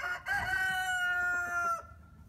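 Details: A rooster on a farm in spring gives a loud, drawn-out crow with a strong harmonic ring, ending abruptly.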